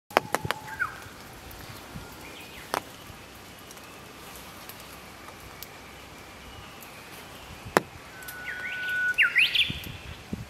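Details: Japanese bush warbler starting to sing about 15 m away: a brief steady whistle at the start, then near the end a long level whistle breaking into a quick, jumping, upward-flicking flourish, over faint clicks and quiet outdoor background noise.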